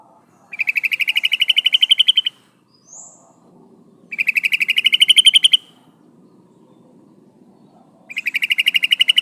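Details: Female sooty-headed bulbul calling for a male. Strings of fast, bright, chattering notes run for about two seconds each, three bursts separated by quiet gaps, with a faint low rumble underneath.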